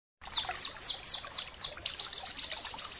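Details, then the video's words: Bar-winged prinia singing as a tutor recording for training other birds: a run of about seven sharp, high downslurred notes, evenly spaced, then a quicker, denser chattering trill. Nothing else is heard. "masteran suara ciblek kristal gacor jernih"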